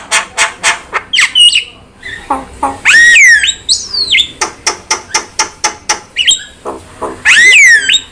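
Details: Javan myna tutor and trigger song: trains of sharp rapid clicks, slurred whistles sliding up and down, and a loud harsh downswept squawk heard twice.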